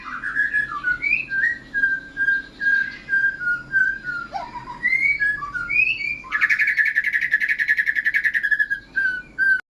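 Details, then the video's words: White-rumped shama kept caged and in strong contest-ready voice: varied mid-pitched whistled phrases rising and falling, then a fast buzzy rattle of rapidly repeated notes lasting about two seconds before a final whistle. "murai gacor siap masuk gantangan"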